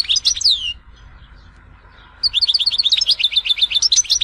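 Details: European goldfinch from Tizi Ouzou opening with a few high descending slurred notes, then near silence under a low background hum, before a rapid, bright, twittering series of repeated chirps about four per second to the end.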